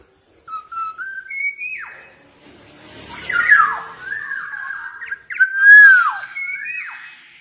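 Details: Black-naped oriole from Java singing continuously: short stepped whistles rising in pitch, a quick drop, then a run of liquid warbled notes and loud downslurred whistles, delivered with irregular spacing indoors.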